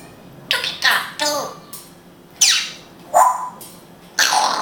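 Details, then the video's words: Talking African grey parrot, an Israeli pet, imitating Hebrew: a string of scratchy, voice-like syllables in short groups, one ending in a bright falling whistle, with brief gaps between phrases. "Funny Grey African Parrot speaking hebrew"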